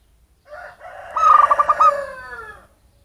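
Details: Wild local zebra dove from its native habitat, not captive-bred, calling as a lure for other birds: a long cooing phrase with soft lower notes that rise into a bright, rapidly pulsed trill, then fade out.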